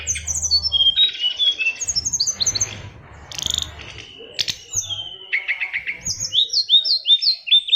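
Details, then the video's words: Oriental magpie-robin 'isian luber' song from a fighter bird: varied high chirped phrases, a dense buzzy burst, then repeated sharp rising notes and rapid trilled series, over low hum. "SRDC Fighter isian luber"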